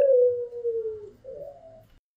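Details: White pelung-type Barbary dove and a local Barbary dove calling: one long, low, hollow coo that slowly falls in pitch, then a short, slightly higher, wavering note that fades out.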